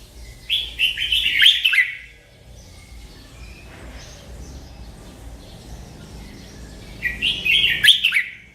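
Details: Merbah lekir bulbul: a long gurgling, tumbling phrase at the start, several seconds of soft background noise, then another rich bubbling phrase.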